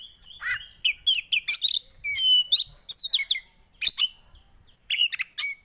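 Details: High Javan white-eye song for reviving a bird that has stopped singing: quick chattering chirps mixed with thin sliding whistles, delivered in clustered bursts with short gaps between them.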